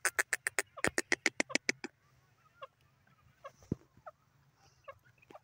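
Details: Francolin calling: a fast series of about a dozen sharp, clicking notes in under two seconds, then scattered softer chirps and one loud snap over a steady low hum.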